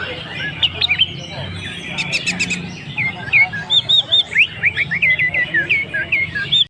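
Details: Long-tailed shrike singing in the style called "anis merah teler ngalas": a fast string of short whistled, looping notes, several per second, over a steady low hum and a brief burst of chatter.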